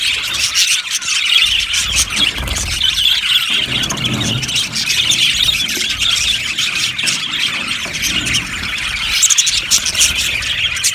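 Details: Yellow budgies chattering in an aviary colony, a thick, scratchy stream of high chirps and warbles from many birds, with a low rumble rising briefly in the middle.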